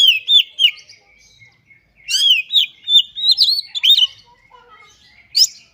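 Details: Oriental magpie-robin in vigorous 'gacor' display song, delivering its repertoire: clear whistled notes, a pause, then a busy run of slurred and trilled phrases ending in a high squeak.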